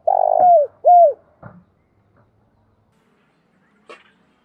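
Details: A spotted dove's decoy cooing: the end of a phrase with a long throbbing coo and then a clean falling coo. Afterwards come soft clicks and a faint brief sound in near silence.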